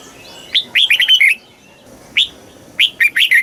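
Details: Southern master style song of a red-whiskered bulbul from Thailand, played to excite birds and teach young birds. One rapid run of about six chirpy whistles, a pause, then a single note and a shorter three-note phrase.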